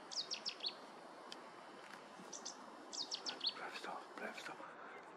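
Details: Cetti's warbler singing at Viersels Gebroekt on 9 March 2023; two short, explosive bursts of sharp, high chipping notes, each lasting about half a second and roughly three seconds apart, with faint chirps from other birds and a steady background hiss.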